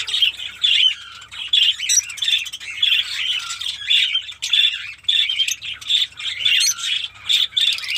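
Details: Noisy chorus of caged Fischer's lovebirds in a Pakistani mini colony, shrill twittering squeaks pulsing in regular bursts about every half to one second throughout.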